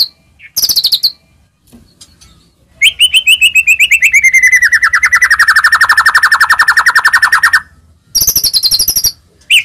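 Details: White-rumped shama song used to provoke other shamas: brief high buzzy bursts, then a long rapid trill of repeated notes gliding slowly downward, ending with more high chatter.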